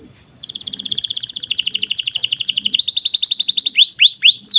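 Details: Canary used as a singing tutor for juvenile and silent birds: a held thin tone leads into a long fast pulsing trill that rises in pitch, ending with a few looping whistled notes.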